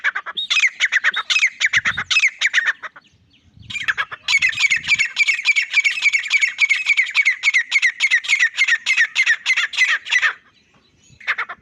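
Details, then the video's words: Long, loud bouts of grey francolin calling: fast, grating, evenly repeated notes, a short pause with low knocking sounds, then a sustained ten-second run of ringing calls. "Most Powerful Voice of Grey Partridge | Francolin High Quality Sounds | Teetar Loud Awaz"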